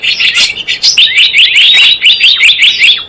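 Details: Dense, almost unbroken high chirping and twittering, with quick notes tumbling over each other for three seconds: a Java sparrow call played as a trapping lure.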